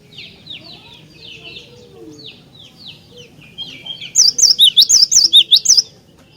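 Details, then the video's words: Cinereous tit song used to provoke other tits into singing: several seconds of softer chirping from other birds, then one clear burst of fast, high, see-sawing whistled notes. "Jika Glatik Batu Anda Di Pancing Dengan Kicauan Glatik Batu Gacor Ini"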